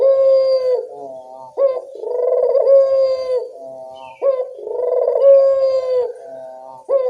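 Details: Local Barbary dove lure call, used to make other doves answer: rolling, harmonic coos with a short rising start then a long steady drawn-out note, phrases repeating about every two and a half seconds.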